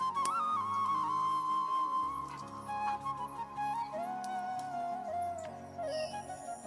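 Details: Flute melody with sustained, sliding notes over soft instrumental accompaniment plays throughout, with no animal sounds.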